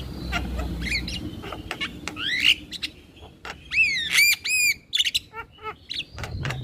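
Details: Male Javan myna in varied song: harsh squawky notes, steep rising and falling whistled sweeps, and clicks in irregular, lively phrases.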